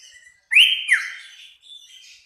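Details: Sooty-headed bulbul singing energetically in a full 'tembakan' style, used as master song for training birds. A loud, clear whistled phrase slides upward, then drops in a second slurred note, trailing into soft warbling.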